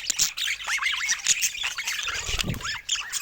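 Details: Pet budgerigars chattering: wavy, warbled chirps rising and falling in quick runs, with short gaps between bursts and a few soft low thumps near the end.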